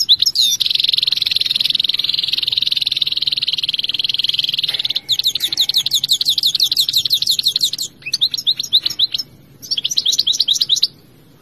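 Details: Goldfinch pouring out song, starting with a sustained buzzy trill lasting several seconds, then switching to rapid liquid twittering in quick repeated phrases, with two short breaks.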